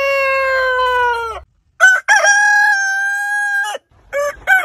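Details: Crowing roosters from heritage breeds: a long, slightly falling crow over low hum, then another bird's stepped, sustained crow and the clipped start of a third.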